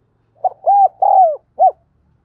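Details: Single cooing phrase of a spotted dove, used to coach newly caught birds and attract wild ones: short note, two sustained arched coos, a falling tail, then a clipped final note.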